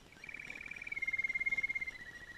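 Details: Canary song phrase: a fast rolling trill of tightly packed pulses that flattens into a steady, even warble lasting about two seconds.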